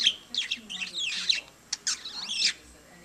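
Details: Budgerigar kept as a pet chatters to a lamp indoors, giving dense, twisting, squeaky warbles in close bunches, with a sharp click and a short pause between them.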